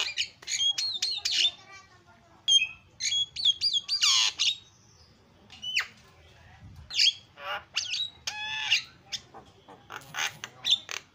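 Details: Javan myna in full song, used as a lure to get a silent bird singing again: harsh squawks mixed with bright rising whistles and rapid chattering bursts, with short pauses between phrases.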